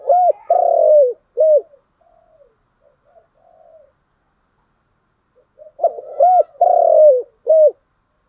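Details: Spotted dove with a bronze-voice coo: an opening phrase of loud, arched coos, a pause with faint murmurs, then a second matching phrase of three or four strong, rounded coo notes.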